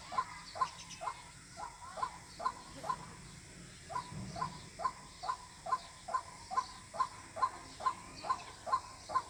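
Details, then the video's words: Repeated call of a White-breasted waterhen, used to attract birds for trapping: about twenty short, punchy notes at a regular beat of a little over two per second, over quiet background hum. "Jal murgi Ki Awaz water hin || ডাউক পাখির ডাক। Waterhen Bird Call।"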